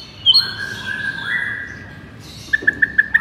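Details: White-rumped shama sounds for rousing a listless shama: a few sharp high notes and drawn-out whistles, closing with five evenly spaced short pips.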